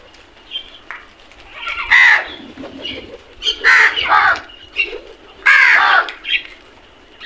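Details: Crows squabbling over food: harsh, hoarse caws in uneven bursts, some overlapping, with short gaps of quiet between them.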